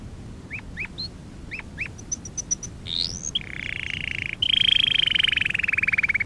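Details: Canary training song opening with scattered short upslurred chirps and high pips, a rising sweep, then a long buzzy rolling trill that grows louder toward the end.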